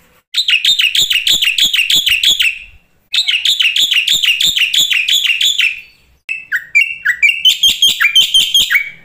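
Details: Black-winged starling from a lure and training recording with fill-in song: two long runs of rapid harsh rattling notes separated by a short silence, then mixed whistled and scratchy phrases.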